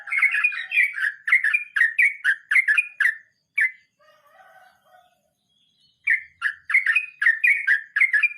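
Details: Sooty-headed bulbul delivering 'ngeroll mbonang' rolling song: a fast run of warbled, chirping notes for three seconds, an isolated note, a quiet low murmur and gap, then the rapid bubbly series resumes.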